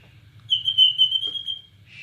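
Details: Borneo white-rumped shama producing a single long, pure, steady whistle held for about a second, delivered as part of a cililin-style song, with a low hum beneath.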